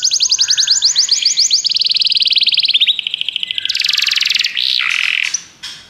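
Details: Canary song played to make a pet canary sing: quick rising-falling trills, a smooth rolling tour, then a loud buzzy burst and a short whistled ending, with light background hiss.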